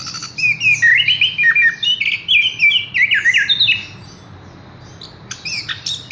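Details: Caged Horsfield's bush lark singing a run of quick, warbled chirping phrases for about four seconds, then a quieter pause and a few scattered high notes.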